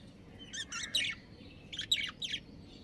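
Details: Budgerigars, a breeding pair, chattering in two quick bursts of scratchy, warbled chirps, three or four notes each, with a low background hum.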